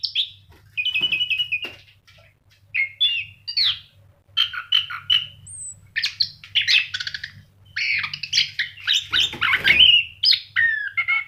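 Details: Caged orange-headed thrush singing energetically, mixing whistled phrases with buzzy, chattering notes and squeaky high slides in a long continuous medley; a faint low hum runs underneath.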